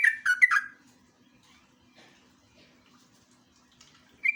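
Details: Sooty-headed bulbul singing a lure and master song in the rapid ngeropel style: three quick slurred, fluty notes in a burst, then near silence with a faint low hum, and another short phrase at the end.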